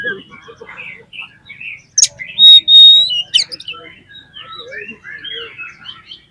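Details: Oriental magpie-robin singing a lure song to provoke other magpie-robins. Scattered warbled notes lead into loud, long pure whistles, followed by a run of quieter, varied chirping phrases.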